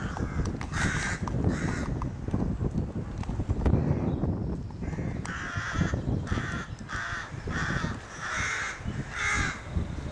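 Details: Rookery crows in May 2018, excited around their nest, giving rough, grating caws in short repeated bursts, many overlapping, with a brief lull mid-way and strong low rumble throughout.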